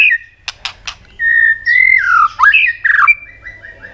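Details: White-rumped shama singing vigorously to stir other birds to sing: three sharp clicking snaps, then a run of clear whistled notes that slide down, swoop and rise, ending in short repeated falling whistles.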